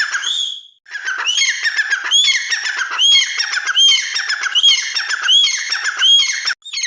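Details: Loud partridge (teetar) calling: a continuous, harsh chattering sequence punctuated by high arched whistled notes roughly every three quarters of a second, ending abruptly.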